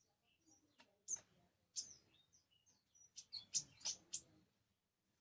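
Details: An orange-headed thrush sings: scattered thin high whistles, then a quick run of bright, sharp chirping notes, each phrase separated by brief silence.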